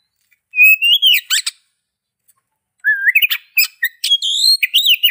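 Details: Oriental magpie-robin song made of bright upslurred whistles followed by scratchy bursts, a pause of over a second, then another stream of mixed whistles and chatter.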